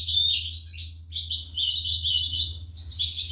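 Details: Caged European goldfinch chicks begging while parents feed them, 2023: a continuous, shrill chorus of fast twittering high chirps with a constant low electrical hum beneath.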